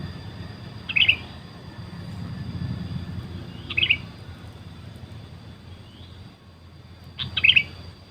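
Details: Sooty-headed bulbul lure calls that wild birds ignored: three short twittering chirp bursts, spaced about three seconds apart, over a low rumbling background.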